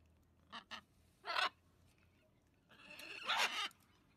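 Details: Wild blue-and-gold macaws, a large flock coming daily to drink water and eat food left out for them; a few harsh raspy squawks, two short then a longer one, and a loud drawn-out screech near the end.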